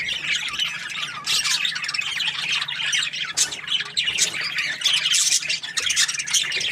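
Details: Budgerigars in a happy mood give a steady stream of high, grating warbles and squawks, several birds overlapping without pause.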